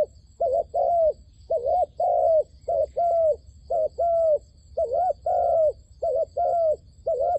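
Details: A trapping decoy dove calling to wild doves gives a long string of soft hooting coos, about two per second. Some notes are wavering and others level, over a faint, constant high-pitched whine.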